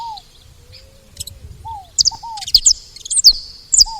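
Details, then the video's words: Saffron finches at a feeding spot: a few sharp, high, downward-flicking chirps, scattered and then bunched toward the end, over lower slurred whistles and a faint low coo. "Canário da terra fazendo barulho na seva"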